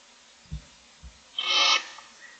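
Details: Morning begging from six barn owl owlets in a nest box: two soft low knocks, then a single loud harsh hissing screech about half a second long, fading into quiet.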